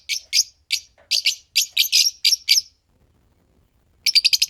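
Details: A green pair of Fischer's lovebirds chirping and singing: bursts of sharp, high chirps in quick series, a pause of about a second, then a fast run of five or six chirps.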